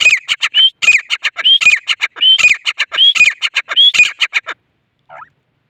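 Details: Grey francolin in full cry, a loud, rhythmic chain of harsh staccato notes and short rising whistles repeated in quick phrases, ending after four and a half seconds with one faint note afterward.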